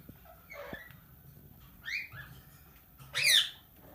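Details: Talking, tamed plum-headed parakeet mimicking speech: a few soft, muffled syllables, then a short, bending squeak, followed by a loud, harsh screech near the end.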